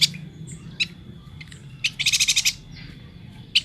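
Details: Kalimantan yuhina singing energetically: scattered sharp high chirps, then a fast run of about eight ringing high notes in half a second. A faint steady thin tone and a low hum sit in the background.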